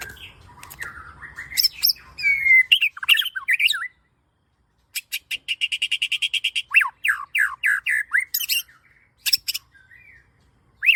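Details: Lure recording of a singing white-rumped shama, meant to train young birds: jumbled whistles and harsh notes, a pause, then a fast rattling series and many quick down-slurred whistles, with sharp clicks near the end.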